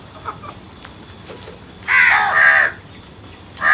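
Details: Crow giving one long, harsh, rasping caw lasting nearly a second, with a second caw starting at the end; faint clicks and quiet background before it.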